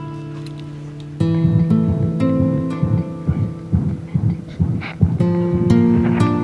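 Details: Plucked guitar music with sustained chords and a throbbing low beat, starting after a quiet first second; no animal voice stands out.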